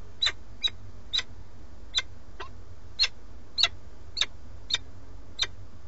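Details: A male peregrine falcon at a nest in Alcalá de Henares, Madrid, brings a starling and calls for the female, who does not come; sharp, high chipping calls, about ten in six seconds, over a low rumble.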